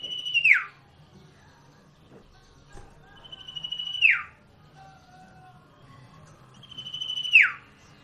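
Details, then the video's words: Common iora song used as a lure to make ioras sing back: three long, high, level whistles, each ending in a sharp downward slur, about every three seconds, over a faint low hum. "Sirtu_Cipoh Akan Jadi Gacor"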